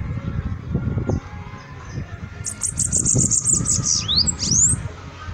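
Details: Bananaquit singing: a rapid run of very high, thin ticking notes, then two quick sliding whistled sweeps, one falling and one rising, over a steady low rumble of background noise.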